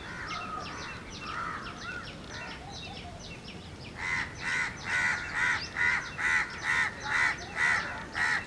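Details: Coppersmith barbet searching for food at Anandvan bird sanctuary, NIBM Road, Pune: a steady series of short knocking notes, about two per second, after a few seconds of mixed chattering from other birds.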